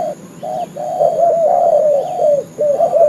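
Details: Decoy cooing of a spotted dove for luring birds to a trap: a long, slightly wavering coo flanked by shorter ones, steady and mellow, with a faint high chirp from another bird.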